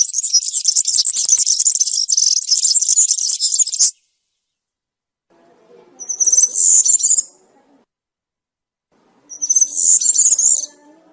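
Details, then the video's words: European serin in field-style 'campero' song: a four-second burst of high, fizzy jingling, then two short sharp twittering phrases, with faint low murmuring in the background. "𝗩𝗘𝗥𝗗𝗘𝗖𝗜𝗟𝗟𝗢 𝗖𝗔𝗡𝗧𝗔𝗡𝗗𝗢 𝗖𝗔𝗠𝗣𝗘𝗥𝗢"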